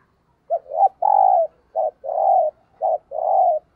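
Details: Spotted dove used as a decoy to lure wild doves, cooing in the thúc gù style: three phrases in a row, each a short clipped note followed by a longer drawn-out coo, about one phrase per second.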